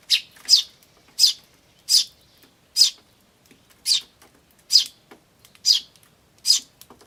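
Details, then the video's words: Chicks of Eurasian tree sparrow chirping "chi chi", adults around, camcorder recording from May 2013: steady series of bright, high chirps, nearly one per second, each brief and downward-sweeping. "スズメと雛の鳴き声(5) Sound of Tree Sparrows and chicks (5)"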